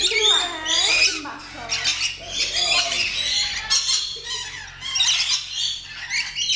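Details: Rainbow lorikeet (Trichoglossus moluccanus) gives harsh, high screeches and rasping chatter in rapid bursts, with brief pauses between phrases over several seconds.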